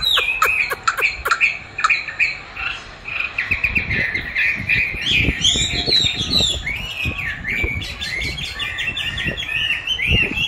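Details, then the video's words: Chinese hwamei song during training with playback of its own song; sharp rapid clicking notes open, then loud varied whistled phrases with swoops, over thumping background knocks. "Dùng đúng giọng hót của nó để luyện hót cho nó(công nhận nó rất thích đấu với chính giọng của mình)"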